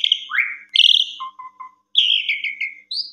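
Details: Brief Asian pied starling song: a rising whistle, a buzzy note, low soft chirps, then a descending rattly phrase and a final high whistle.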